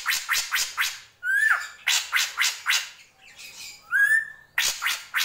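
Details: Drongo gentolang song: runs of harsh, scratchy notes repeated about four times a second, broken by clear rising whistles, with a brief softer warbling passage between them.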